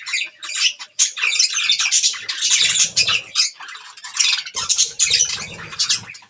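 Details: Several budgerigars chatter while eating green food, a continuous stream of buzzy squeaks and chirps, with low thumping and rustling noises around the middle and end.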